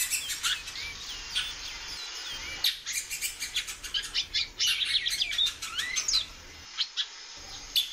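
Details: Great-billed seed finch, a female in captivity, calling repeatedly. Thin high whistled sweeps and hooked notes run over a busy bed of sharp clicks and chirps, with short pauses in between.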